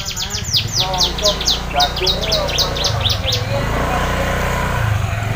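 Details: Champion competition canary whose song is filled with learned bar-winged prinia (ciblek) phrases: rapid runs of sharp, high chirps repeated about four times a second, some sliding downward, then fading, over a steady low engine-like hum.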